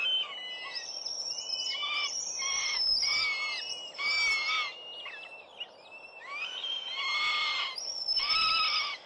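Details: Four young Northern goshawks at their New Forest nest late in the season, 11 June 2012; repeated harsh, whining wails in uneven bursts, several voices overlapping, some calls rising then dropping, with short pauses between outbursts.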